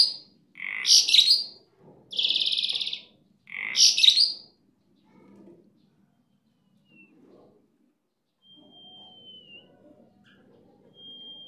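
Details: Very vocal kept starling, called super gacor, gives three loud phrases: squeaky harsh bursts around a long buzzy rasp. Quiet follows, broken only by a few soft notes and a thin, faint whistle.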